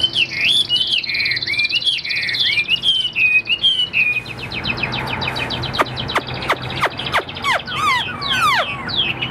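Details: Chinese hwamei in a cage, sold in Vietnam, starts with rolling, swooping whistled phrases, then switches to rapid, sharply descending notes repeated in a quickening series.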